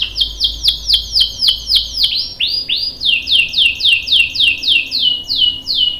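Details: Chattering canary song meant to make a male answer: repeated downward-sweeping whistled chirps, roughly four per second, with a brief change to rising swoops midway.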